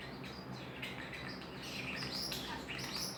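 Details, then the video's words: Pet common starling making noise just to hear himself, a dense mix of high whistled notes, squeaks and clicks in quick irregular succession, over constant low household hum. "Making noise just to hear himself"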